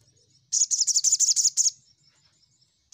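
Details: Crimson sunbird song from a lure recording to summon rivals: a rapid, high, buzzing trill of about twelve pulses over one second, starting abruptly after quiet.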